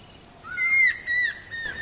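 A Stork-billed kingfisher gives a clear, drawn-out whistle that rises and then holds steady, broken by a few harsher rasping notes over about a second.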